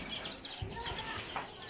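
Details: Baby chicks playing: a few thin, high peeps, each sliding quickly downward, scattered across under two seconds, with soft low thumps and light background noise between them.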